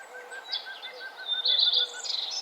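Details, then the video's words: Birds singing at sunrise along a nature trail: high warbled phrases and trills near the top of the range, with a soft repeated low piping note underneath. "birds singing and the sun arising"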